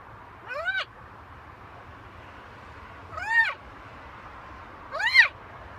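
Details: Macaw parrot giving three harsh, arched squawks, each under half a second long and rich in overtones, spaced about two seconds apart against a faint steady background hum.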